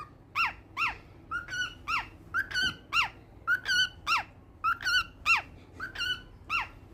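A cockatiel sings a string of shrill, rising and falling whistled notes, each about half a second long.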